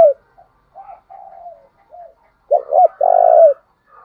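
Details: Spotted dove used as a decoy to draw answering calls from wild birds: soft gentle low coos first, then one loud phrase of a doubled note and a long burry coo falling at its end.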